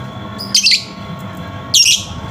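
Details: Lovebird lure sound meant to prompt a silent lovebird into singing: two short, shrill, harsh chirp bursts about a second apart over a steady indoor hum.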